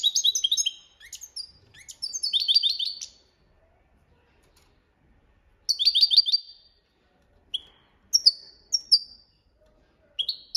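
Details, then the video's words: European goldfinch singing in the copia Malaga style used as a training song: bursts of bright, rapid twittering and tinkling notes with buzzy trills, separated by short silences, then a few scattered sharp chirps. "Jilguero Cantando la copia malaga _ Goldfinch bird singing the wonderful sounds for training songs"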